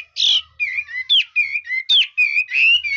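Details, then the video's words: Chinese hwamei singing loud, clear whistles: a harsh burst, then wavering whistled notes alternating with sharp downslurs, repeated in a lively varied pattern. "Chú mi cực hay, đảo giọng hót tốt hót rất đẳng cấp"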